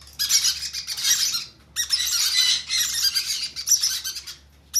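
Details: Conure chicks begging during hand feeding: two long stretches of harsh, buzzy squawks split by a short silent gap.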